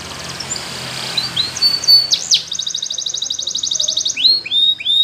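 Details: Belgian canary training song for young canaries: high whistled notes and glides, then a fast even trill of repeated notes, ending in a few loud descending swoops; faint low background hum.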